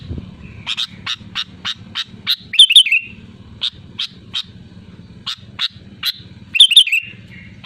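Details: Bright, loud sooty-headed bulbul song: series of crisp, high single chirps interspersed twice with a quick rolling whistled phrase, against a continuous low humming background.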